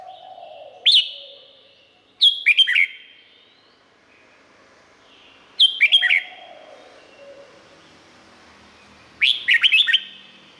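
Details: Song of a Red-whiskered bulbul in Thailand, meant for training or rousing other birds: four crisp whistled phrases of tumbling notes, roughly every three seconds, with echoing tails and a soft low hum between them.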